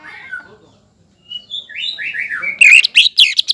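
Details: Caged greater green leafbird singing to provoke a rival: soft whistles build into a rolling warble, then several loud, harsh chattering notes in quick succession.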